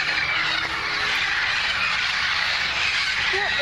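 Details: A flock of more than 100 wild green parrots gathered in a front-yard tree in Burbank, making a dense, continuous wall of harsh, overlapping squawks and screeches, loud and unbroken throughout.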